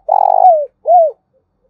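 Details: Spotted dove used as a decoy to lure other doves: a rough, throbbing coo falling in pitch, then a short arched coo after a brief pause, low and clear against a silent background.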